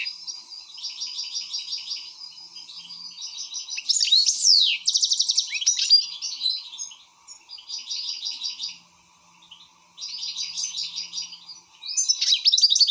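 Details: Excited European goldfinch delivering repeated buzzy trilled phrases, loud sweeping slurs and bright rapid twitters, with short silent gaps between song bursts and a faint background hum.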